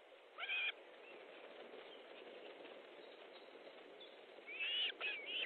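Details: Osprey calling at an Estonian nest, 14 July 2014 at 12.50, as a fish is delivered; a sharp whistled burst opens the clip, quiet hiss follows, then a cluster of loud wavering, upward-inflected whistles closes it.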